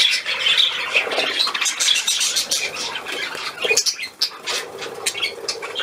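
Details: Budgerigar at play, 13 December 2019: uneven bursts of sharp squeaks and clicks mixed with warbling, some louder chirp clusters, and a quieter stretch just past the four-second mark.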